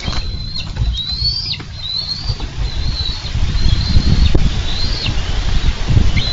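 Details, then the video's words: Minnesota bald eagles tussling for a carp at the nest on 4 July 2013. Strained high whistles with falling tails repeat irregularly, partly buried under loud wing flapping and booming wind noise. "Eagles Wrestling for Fish"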